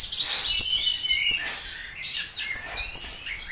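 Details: Orange-headed thrush giving a rapid, continuous run of high, varied chirps, slurred whistles and scratchy trills packed closely together with no pauses.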